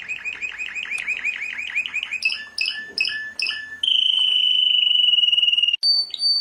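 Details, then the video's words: World champion canary with quick repeated chirps, then spaced bright two-part notes, a long fast rolling trill and a final high whistle. "Canto de canario 🐤🥇🏆campeón del Mundo🥇🏆"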